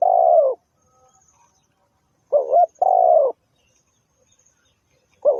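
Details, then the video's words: Spotted dove used as a lure for trapping; low cooing notes around a few hundred to one thousand, a short note then a longer drawn coo, repeated after a pause, clean with little background. "The Sound Of Spotted Dove is so good"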